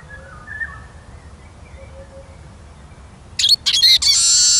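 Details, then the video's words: Eurasian siskin song: a rapid cluster of sharp high twitters breaking into a sustained, strained wheezing note held to the end; soft background birdsong. "Как поет чиж"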